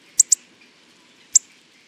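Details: Three sharp, abrupt ticking calls from a Hawfinch, two in rapid succession and a third about a second later, clear against near silence.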